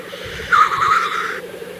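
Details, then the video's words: Black grouse at the lek in April 2024: a sharp hissing sneeze-like call of about one second stands out over a steady low bubbling chorus of other displaying males. "Tedremäng. Aprill 2024"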